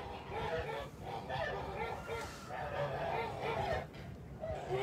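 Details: Farmyard Kholmogory geese, 29 March 2021: several short, nasal honks and cackles overlap in quick succession, mixed with some background chatter.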